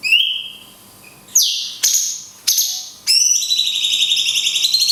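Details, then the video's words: Cungkok long 'kunti' shot song, used to teach other songbirds: a rising whistle, then three abrupt down-sweeping whistles, ending in a sustained trilling, buzzy whistled note with rapid pulses. "CUNGKOK TEMBAKAN KUNTI PANJANG - JEDA ALAMI"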